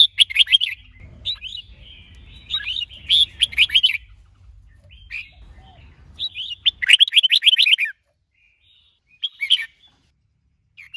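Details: Red-whiskered bulbul, a male trained with a female to stimulate him, delivering repeated bursts of rapid, clear whistled notes, several phrases separated by brief pauses, ending with isolated chirps.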